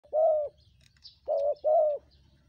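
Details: Spotted dove calling vigorously, used as a lure call for wild birds: three low, steady coos around a similar pitch, the last two close together, over a quiet rural background.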